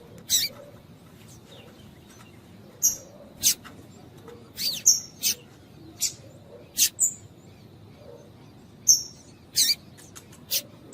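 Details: Female double-collared seedeater of the piadeira type, calling to warm up and stimulate a male singer of the tui tui style: sharp, very high, clipped chips given singly at irregular intervals, about one each second, over low background hum.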